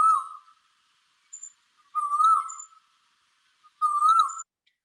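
A male Asian koel gives clear, rising whistled notes, one roughly every two seconds, calling to attract a female.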